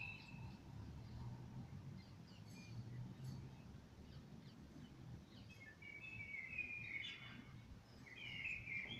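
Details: Common blackbird singing in the evening: faint low warbled phrases near the end, over steady low rumble and scattered high chirps from other birds.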